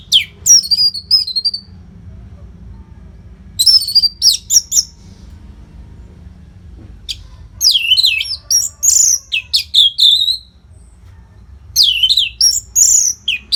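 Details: Orange-headed thrush song for training fighter birds, non-stop and lively: varied phrases of sliding, swooping whistles and twittering notes, delivered in bursts with short rests, growing denser toward the end.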